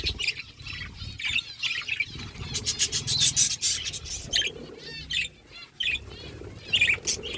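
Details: Budgerigars feeding together as a flock produce bursts of fast, buzzy warbling and high chirps, louder in the middle, with brief quieter gaps.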